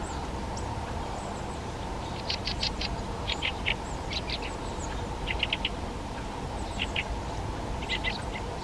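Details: Fieldfare (Turdus pilaris) gives harsh, chattering chack notes in quick bursts of three or four, every second or so, over a steady rushing background noise.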